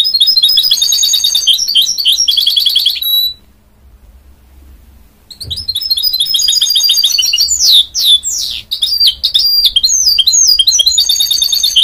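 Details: Singing goldfinch-canary hybrid: rapid chattering trills, a pause of about two seconds, then resumed varied twittering with sweeping whistles and quick repeated notes, loud and continuous.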